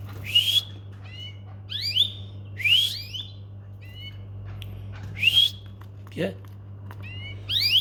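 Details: Canary in a home setting calling with clear, whistled upward and downward sweeps, often paired, roughly every second, over a constant low electrical hum.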